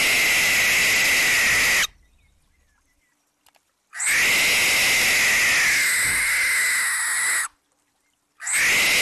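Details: A barn owl at night gives long, harsh, hissing screeches, each about two to three seconds, with short silent gaps between them.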